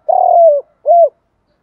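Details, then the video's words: Spotted dove decoy coo, close and loud: a long, rough coo sliding gently downward, then one rounded arched coo. "Giọng cu gáy mồi thúc + gáy gọi. tiếng gáy tập bổi nhanh nổi"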